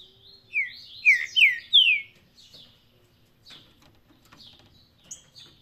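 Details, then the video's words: Green-winged saltator singing in the Paraná song style: four loud, clear whistled notes, each sliding downward, in quick succession, followed by softer, scattered high chirps and faint background ticks. "Trinca ferro Faísca, canto Paraná"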